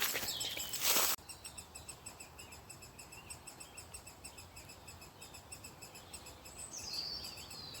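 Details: Great spotted woodpecker chicks begging from a nest hole in an old ash tree as they wait for their parents to feed them. After a short burst of loud handling noise, faint high, stacked chittering notes repeat steadily, roughly once a second.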